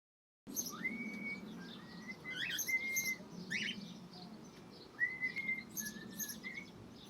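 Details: Cockatiels playing in an aviary give clear whistled notes that rise, then hold steady, mixed with brief scratchy chatter.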